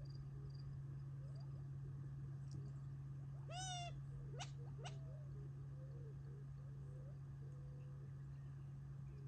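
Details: Gambel's quail feeding on a family property near Tularosa Creek in July 2021, before retreating for the night: one nasal, rising call, then two sharp, quick notes, with soft clucks around and a low hum beneath.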